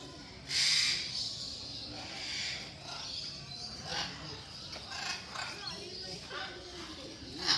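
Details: Captive military macaws at a zoo in Mysore, India, calling noisily: one loud, raspy screech early on, then a series of shorter, rougher squawks spaced about a second apart over faint background chatter.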